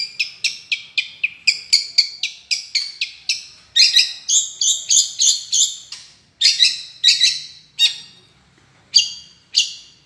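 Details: Long-tailed shrike chattering rapidly: about a dozen short sharp chips in fast succession, then louder harsh buzzy notes, slowing to single spaced calls toward the end.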